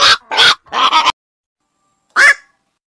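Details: Rough, grating calls from a night heron: three quick harsh notes close together, a pause of about a second, then one more rasping call.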